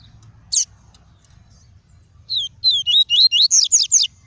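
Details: Double-collared seedeater singing in the 'tuí tuí' style to stimulate a kept bird and tutor young: one sharp chip, a pause, then a quick run of about eight high, looping whistled notes climbing in pitch.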